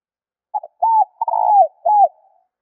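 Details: Spotted dove used for luring or stimulating birds, giving a cooing phrase: two brief clipped notes, then a smooth arched coo, a long quavering coo and a final falling note, low-pitched and mellow against silence.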